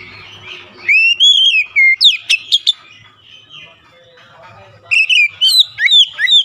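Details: Oriental magpie-robin song meant to lure quiet magpie-robins into singing: rich rising and falling whistles with quick sharp chips, two loud bursts separated by a softer, noisy pause.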